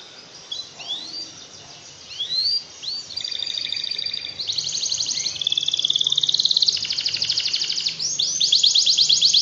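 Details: Canary song played to rouse lazy canaries into ngekek singing: scattered rising whistled sweeps, then long, fast, buzzy rattling trills of tightly repeated notes that run almost without pause, with a faint low hum underneath.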